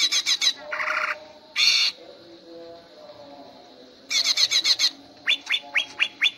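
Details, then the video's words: Greater green leafbird in training for song contests, singing the lively ngentrok style: rapid harsh chattering bursts, a buzzy squawk, then quick rising whistled chips repeated about twice a second, over low steady background hum. "Cara melatih Cucak hijau gacor ngentrok untuk kontes"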